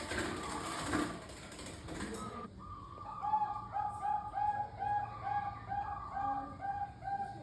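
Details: Bangkok-type zebra dove, a recording played as a lure to get kept doves singing: after a rough burst of noise, a rapid series of short soft cooing notes at a steady mid pitch, evenly repeated several times a second.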